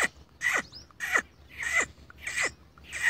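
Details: A black francolin calling in a wheat field gives harsh, grating, creaky notes, each sliding downward, repeated steadily about every half second over a quiet background.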